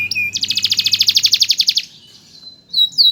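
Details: Canary master song for training other birds: a loud, even rattling trill of about a dozen fast pulses lasting over a second, a quiet pause with a thin held tone, then sharp looping whistles.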